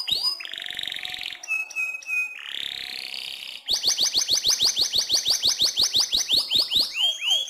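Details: Canary in full song as a tutor recording for shamas: sustained buzzy and whistled tones, then a fast run of repeated downward-sweeping notes at about three per second.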